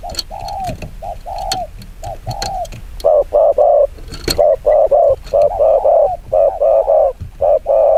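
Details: Rapid 'chiêu gù kích bổi' cooing by a spotted dove: softer hollow coos at first, then loud, quick runs of two to four rounded notes, with occasional sharp clicks.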